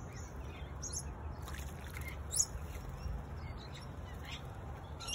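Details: Brief sharp chirps from a singing honeyeater, spaced irregularly with a louder note around the middle, heard over continuous low droning noise.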